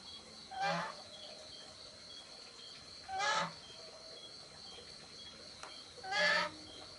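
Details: Juvenile spotted dove making three harsh, rasping bursts, roughly one every three seconds, against a constant high-pitched chorus of crickets.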